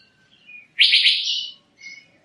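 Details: Single long, loud buzzy whistle from an Asian fairy-bluebird, flanked by faint softer notes before and after.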